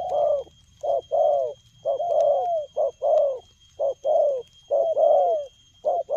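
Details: Spotted dove with a quick cooing style, 'lèo gù': loud, mellow coos in tight bursts of short and longer falling notes, about ten in six seconds, with little other sound.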